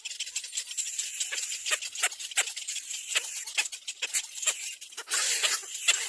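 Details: Little black cormorant chicks begging at nests as an adult comes to feed them: dense, hissy, rasping bursts repeated rapidly, several each second, ending in a louder continuous hiss.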